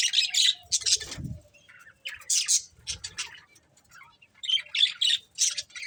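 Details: Breeding pair of budgerigars chirping: bursts of high, scratchy chatter and squawky notes with short pauses between, plus a brief low rustle near the start.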